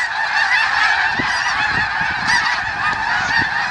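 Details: Snow geese massed at the Richmond Dyke give a constant chorus of high, yelping honks blending into one roar, with individual calls briefly standing out.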